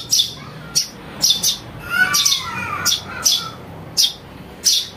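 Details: Chick of a house sparrow calling, used as a lure for catching birds: sharp high chirps repeated irregularly, while another bird's lower wavering whistles sound in the middle.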